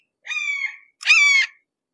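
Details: Two hoarse, falling calls from a red-shouldered hawk at close quarters, the first softer and drawn out, the second louder and more abrupt.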